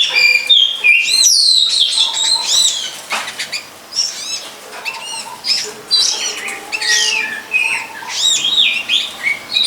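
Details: Long-tailed shrike in the wild near a longan orchard where it may nest. Falling whistles and scratchy arched notes, then a busier stretch of rapid chattering phrases, loud throughout.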